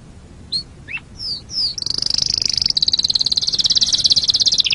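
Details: Canary used as a master song for training other birds: a few short whistled slurs, then a long fast buzzy trill held high, pulses repeated rapidly for nearly three seconds.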